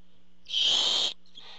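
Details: A barn owl at a nest, filmed by a nest camera as the adult male brings food, gives one harsh, breathy, high hissing screech of about half a second, then a faint softer rasp, over a low steady hum.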